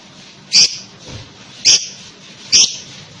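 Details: Lovebird uttering three harsh, high squawks roughly one second apart against steady background hiss.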